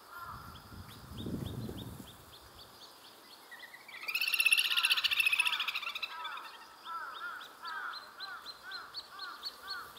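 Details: Little grebe family of two parents and three young of very different sizes on a pond near a mountain trailhead, the biggest chick rushing to a parent for food: rapid thin high peeps repeated several times a second, with a loud buzzy burst midway.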